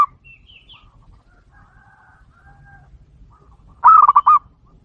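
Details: Perkutut, the zebra dove, singing to provoke other doves in KEROT and BEKUR style: one quick rolling, quavering coo phrase near the end after a quiet stretch with faint distant bird notes.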